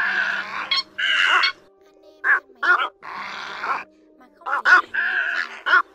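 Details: Little egret, black-billed, calling the flock, played as a lure for night net trapping, recorded in 2024: harsh, raspy croaking calls in bursts, some doubled, separated by short pauses, over a steady low electrical hum.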